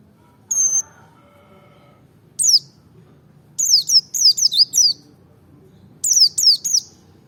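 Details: Merapi white-eye in double ngalas style, meant to stir rival birds to sing: one steady high whistle, then groups of sharp, high-pitched descending chirps strung together in quick runs with brief gaps.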